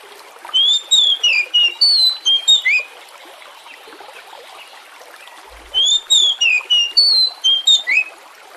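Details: Oriental magpie-robin song used as a lure to get other birds singing: two matching bursts of around eight sweet, slurred whistles, separated by roughly three seconds of low hiss.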